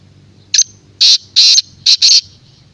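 Black francolin giving a harsh, grating call: a short click-like note, then four loud rasping notes in a quick, jerky rhythm, over a faint low hum.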